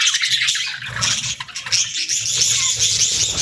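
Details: Dense high budgerigar twittering with harsh squeaky notes, a steady, crowded chorus of chirps.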